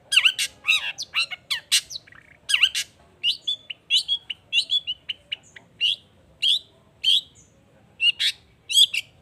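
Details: Long-tailed shrike (cendet) in lively, emotional song used as a lure to make other shrikes answer: a fast run of sharp, varied chirps and squawky notes in short bursts with brief pauses, high-pitched and harsh, continuing steadily throughout.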